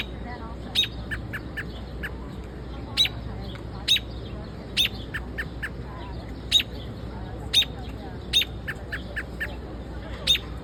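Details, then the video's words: Bird in Central Park, New York, giving sharp high chirps about once a second with softer short notes between, over a steady low city rumble and faint voices. "Beautiful Bird Chirping"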